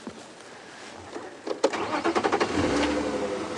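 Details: A car engine cranks and starts, with rapid pulsing bursts as it catches, then settles into a steady running hum.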